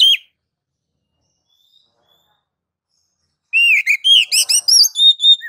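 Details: Oriental magpie-robin ngeplong master song, for luring others into song: a short whistle, a long silence, then a two-second flourish of bright looping whistles and level tones.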